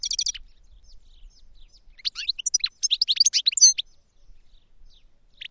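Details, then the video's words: Goldfinch opening with a quick rattling trill. After a quiet moment, a bright burst of rapid, tinkling high chirps and slurred notes follows, ending with a few scattered twitters. "Goldfinch Song to Educate Newcomers to Their Call"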